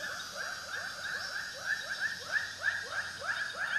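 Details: Ruak-ruak, the white-breasted waterhen, utters steady rising croaking notes at roughly three per second, growing slightly louder toward the end over a low hum.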